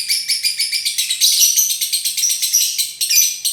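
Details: Lovebird giving loud, high, harsh chattering: rapid shrill chirps pulsing about six times a second, continuous through the recording with no other sounds.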